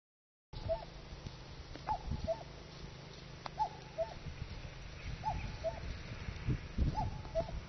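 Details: Cuckoo visiting a farm field, its call ending in a cough-like note; mid-pitched two-note cuck-oo phrases repeated about five times at steady intervals of roughly one and a quarter seconds, over faint low background noise.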